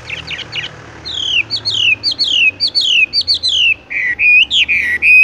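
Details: Horsfield's bush lark kept in a hanging cage, rolling "tung roll" song: brief scratchy notes, then a series of loud downward-sliding whistles, ending with a few rising and level whistled phrases.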